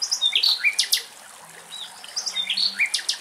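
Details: Common nightingale in Axios Delta National Park near Thessaloniki, Greece, sings two quick bursts of high, varied notes, sharp chips and squeezed whistles, split by a short pause; no other sounds stand out.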